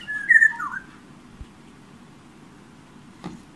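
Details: A yellow oriole perched outside a bedroom window gives one brief fluty, slurred whistle that dips and rises, followed by silence and two soft knocks as it taps on the window glass.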